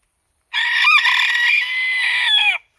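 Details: Single unbroken crow from a Japanese bantam cock kept alongside a second rooster, katsura and silver ginsasa types: about two seconds of loud, rough, even-pitched crowing, bending downward at the end, otherwise silence.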